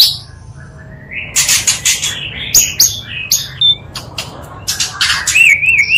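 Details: Oriental magpie-robin singing, mixed from two birds to spur rivals into response: a quiet rising whistle, then scattered sharp clicks and short notes, ending in a wavering high whistled warble.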